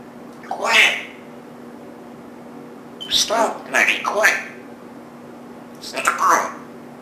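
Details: Fourteen-year-old pet African grey parrot, male, indoors, mimicking human speech with a habit of swearing, producing short bursts of word-like phrases with long pauses between them, and a steady hum in the background.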